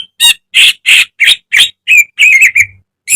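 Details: Greater green leafbird, a caged bird, singing a training song full of mimicked phrases: loud harsh rasping notes in rapid series, then warbled whistles, about three notes per second.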